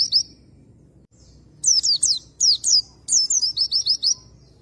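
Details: Oriental white-eye song played to trigger a male into full song: high, thin descending chirps in bursts of three or four, ending with a rapid string of six falling notes, in a quiet background.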